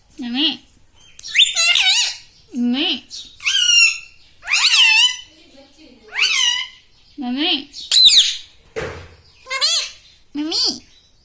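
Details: Pet parrot indoors, taught to say words such as mummy, papa and radhe radhe, producing a run of about ten short, high, nasal speech-like syllables, each with a rising-falling pitch, spaced roughly one second apart, in a quiet room.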